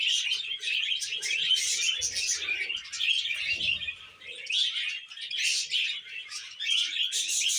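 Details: Several budgies, happy while eating veg, warble continuously in pulsing bursts of chirps and buzzy squeaks, with soft low thumps in the first half.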